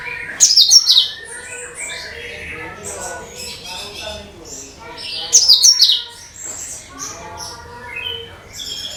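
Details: Cucak kinoi (leafbird) song intended to lure all bird types. Sharp, high, buzzy bursts about five seconds apart, followed by stuttering, rattling chatter.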